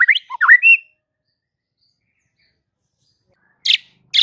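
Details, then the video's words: A White-rumped shama gives a quick burst of rich, sweeping whistles, then falls silent before two short, harsh rasping notes. "Murai batu ini SONTAK bikin murai lain TETAP GACOR dan NGEPLONG hanya dengan Sekali Pancingan Saja"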